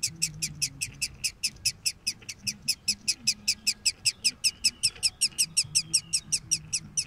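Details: Nestling woodpeckers inside their nest box give a long, very regular run of rasping, buzzy calls, roughly five each second, steady in loudness throughout, over a faint low background hum.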